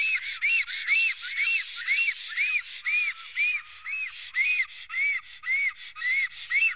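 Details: Wild black stork in Estonia defending its nest, 15 April 2018, just before noon: a steady series of high, arched whistled notes, about two per second, each rising then falling, continuing without pause.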